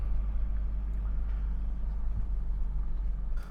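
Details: A vehicle engine rumbles low and steady near rice fields in Thailand, with no animal sound heard.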